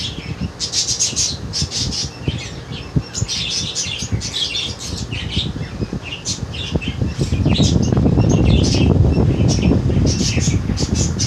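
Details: Budgie babies from a 2022 breeding: bursts of sharp, high chirps about four times a second, with a rumbling low background that grows louder toward the end.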